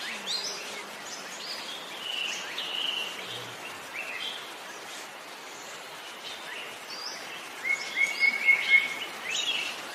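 Green Broadbill giving a brief run of soft, evenly spaced notes near the end, about four a second, over a busy chorus of other forest birds and insects.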